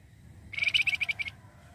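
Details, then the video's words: Flamboyan bird song used as a lure to attract other birds. A quick burst of about nine sharp, high, chattering notes lasts under a second over a quiet, low rumbling background. "pancingan flamboyan gacor"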